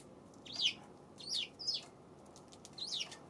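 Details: On February 7, a Eurasian tree sparrow chirps four times, each note a bright high downward-slurring cheep spaced roughly half a second to a second apart.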